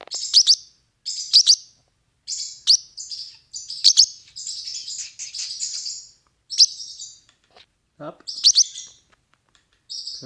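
A parrotlet chatters in quick bursts of high, sharp chirps and buzzy twitters, some grouped in doubled notes, with brief pauses between runs.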